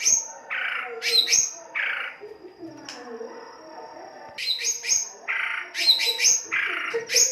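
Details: ['Harsh-style white-rumped shama song used as a lure to stimulate singing: high clear whistles mixed with loud rasping, buzzy bursts, two phrases separated by a quieter pause.']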